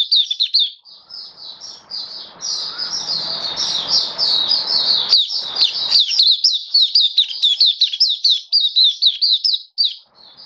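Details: Caged Oriental white-eye singing on 27 October 2022. Long, fast chatter of high, sharp, down-slurred notes running for ten seconds with few breaks, over a brief soft rushing background noise in the middle.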